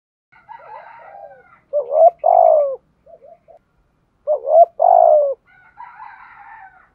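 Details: Spotted dove lure recording used to attract wild doves: two loud cooing phrases, each a short rising coo then a longer falling coo, with softer chirping from other birds before and after.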